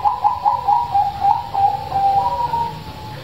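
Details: Strong-voiced zebra dove cooing, meant as a lure for doves reluctant to sing: a continuous rapid rippling trill of coos, slightly rising at the end, over low background hum.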